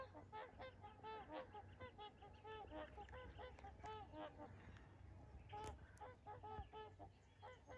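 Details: A flock of trumpeter swans taking off from Rifle Lake on 28 April 2020 gives loud, horn-like honks that overlap in a steady chorus, with a low rumble of wind or water underneath.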